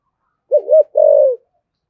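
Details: Spotted dove of the thổ sấm type cooing in gáy gọi style: a short looping low phrase, a gap, then a drawn-out, slightly buzzy coo sliding downward.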